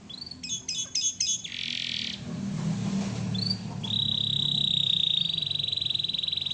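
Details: Canary singing steadily for a training recording: a few quick high chirps, then a short buzzy burst, then a long, even, rapid trill held at one high pitch, with a low hum behind.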